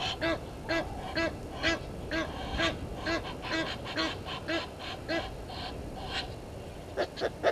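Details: Egyptian geese disputing with intruder geese at a waterhole in Djuma Game Reserve, Sabi Sand, South Africa; a rapid run of hoarse, rasping honks, roughly two per second, that loosens and grows sparser toward the end, over low background rumble.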